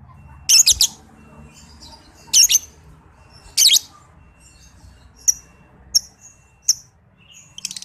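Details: Under-five-month-old young lovebird recorded as a tutor track for other lovebirds. Three strong rasping, stuttered screech bursts come first. Thinner, sharp high chirps follow at regular intervals.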